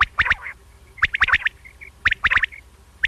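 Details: A single male common quail gives its liquid three-note 'wet-my-lips' phrase, sharp and clipped, repeated about once a second over a quiet background.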